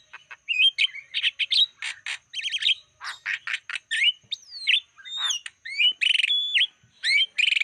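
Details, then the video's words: Black-winged starling lure song to attract wild birds, quick mixed chips and buzzy trills followed by slurred whistles that sweep up and down, ending in repeated rasping notes. "Masteran Suara pancingan burung jalak kebo"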